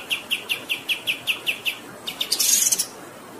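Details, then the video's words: Kapas tembak bird in long-running training song: about ten clear, evenly spaced high notes, then quicker chips ending in a brief harsh, buzzy flourish. "MASTERAN KAPAS TEMBAK GACOR Ngerol Durasi Panjang"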